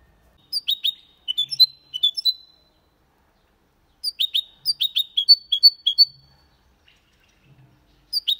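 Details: Singing goldfinch × canary hybrid, Malaga-style song: short bursts of sharp, clipped chip notes with brief whistled tails, separated by pauses of several seconds.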